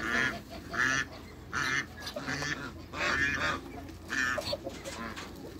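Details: In a backyard with waterbirds, a pair of African geese honk amid busy quacking and chattering from other fowl, rapid rough calls about every second.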